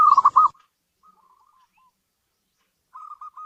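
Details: Local zebra dove kept in a house, giving a brief burst of rapid trilled cooing notes, then faint fragments and a softer rolling trill after a near-silent pause.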